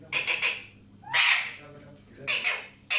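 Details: Harsh, raspy squawks from Alexandrine parakeets, some doubled or tripled in quick stutters, with one long grating screech in the middle and quieter gaps between.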